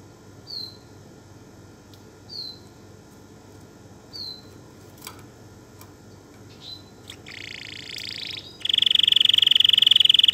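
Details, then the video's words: Canary giving a few faint, short chirps spaced about two seconds apart, then breaking into a loud, steady, fast rolling trill that continues to the end. "تغريد طائر الكناري"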